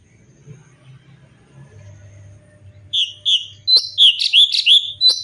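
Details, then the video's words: Cucak cungkok bulbul in natural song for a tutor recording; after nearly three seconds of quiet low hum, loud bubbly whistled notes burst out and repeat rapidly to the end. "CUCAK CUNGKOK GACOR SUARA ASLI VARIASI UNTUK MASTERAN"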